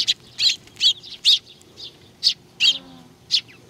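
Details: Several sparrows arriving to be fed at Tenmangu, Nakanoshima, 21 June 2020; loud, rough, high-pitched chirps come in quick bursts, some doubled, over a quiet low hum.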